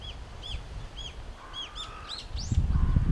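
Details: Brown-eared bulbul calling loudly in a blooming cherry tree in Japan while taking nectar: repeated arched, shrill notes about every half second, a lower drawn-out whistle midway, and low rumbling at the end.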